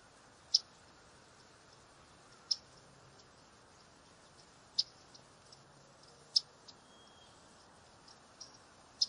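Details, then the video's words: Yellow-rumped warbler (myrtle) giving sharp, very short, high chip notes spaced roughly two seconds apart, with a few fainter ticks between, against a steady soft hiss. "Yellow rumped warbler call / sound"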